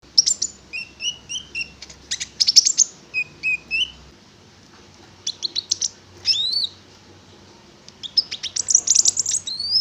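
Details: Konin (prinia) in lively song, used as a lure to make other konin sing: bursts of high, sharp chirps and quick whistled notes, with short downslurred whistles in bright clusters, and a brief pause mid-phrase.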